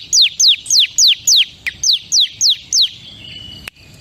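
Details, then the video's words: Crystal-type bar-winged prinia singing a steady series of nine loud, high, falling whistled chips, about four per second, followed by a thin trailing tone and a sharp click. "SUARA CIBLEK KRISTAL PALING GACOR"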